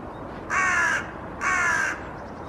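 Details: Hooded crow perched in a conifer in Helsinki, Finland, in April, calling loudly, quite possibly answering another crow's distant calls; two harsh, hoarse caws about a second apart, each roughly half a second long, over faint background noise.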